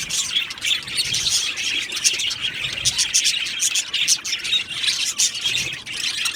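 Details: Budgerigars in an aviary colony, a dense, unbroken chorus of high chirps, warbles and short squeaky notes from many birds at once, with rapid overlapping twitters throughout.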